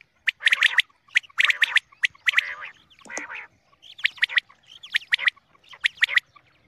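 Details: Common quail sound for morning hunting, a series of bright, clipped triple-note bursts spaced roughly a second apart. A lower, buzzy, grating note breaks the rhythm midway.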